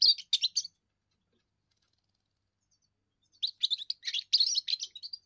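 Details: First song of a young European goldfinch, used to claim territory and attract females: a brief twittering burst, a silent gap, then a longer run of quick, bright, jangling notes.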